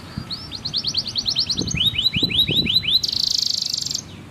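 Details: Canary song used as a tutor for young canaries: a series of rapid upslurred whistled notes, then a slower run of descending swept notes, ending in a bright fast trill, with soft low knocks behind.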